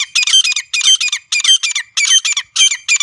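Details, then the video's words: Wild grey francolin (desi teetar) recorded in natural surroundings, a call used for hunting: harsh, high, grating phrases repeated about every half second in a steady run, with no other sounds. "جنگلی دیسی تیتر کی اصلی آواز | گری فرانکولن کی زبردست شکار والی آواز"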